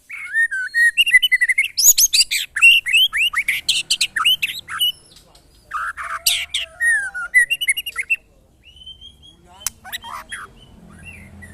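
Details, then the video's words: Caged white-rumped shama put up against friends' birds to test whether it is a fighter; long, loud outpouring of rapid whistled and chattering phrases, then a pause and a few clear drawn-out whistles. "test mental burung murai batu"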